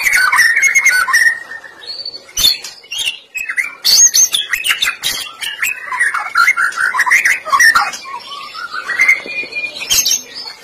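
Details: Lure recording of white-rumped shama song meant to prompt shamas into full singing: loud, varied melodic phrases of whistles, slurs and trills, interspersed with sharp clicking chips, delivered without pause.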